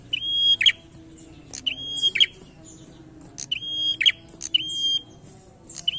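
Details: Prinia repeats its challenging song about five times: a click, a drawn-out pure whistle, then a scratchy buzz. The phrases come roughly every second, with a steady low hum beneath.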